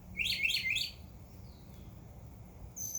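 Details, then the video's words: Birds chirping in a backyard in summer: a quick run of three bright, sweeping high chirps, then near quiet and a thin high whistle at the end. "Birds Chirping Sound"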